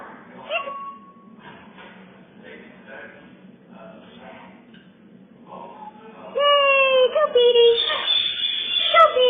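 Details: Pet male Hahn's (red-shouldered) macaw blurts a loud, raspy, hiccup-like phrase, actually saying "peekaboo" while playing peekaboo with pictures on a bar, after quiet indoor murmuring and background voices.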